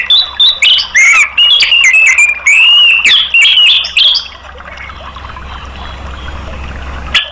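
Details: Orange-headed thrush, known locally as anis merah, in a therapy recording aimed at prompting caged birds to sing. Around four seconds of loud, fast, tumbling whistled notes with sharp slides, then fading to low background noise.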